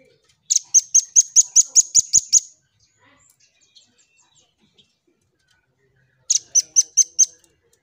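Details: Red-billed scimitar babbler in a lively song-training recording, delivering a rapid burst of about ten sharp high notes, a pause of nearly four seconds with faint clicks, then a second shorter burst of six notes.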